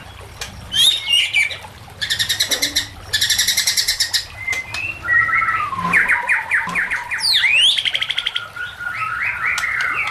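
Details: White-rumped shama song used as a lure and training recording for other shamas: fast mechanical rattling trills, sharp whistled notes, descending whistled phrases and a rapid upward sweep, set against a soft background hiss.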